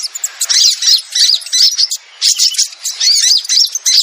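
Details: Sogon lure call used to draw down wild sogon that are hard to attract: phrases of high, twittering, squeaky notes in roughly half-second bursts, with a short lull near two seconds.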